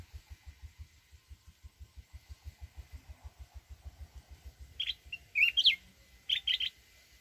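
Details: Mountain red-whiskered bulbul, a trap-fighting decoy bird, singing in wild forest-voice style: a burst of bright, warbled whistles after a quiet stretch, over a steady low rhythmic thumping.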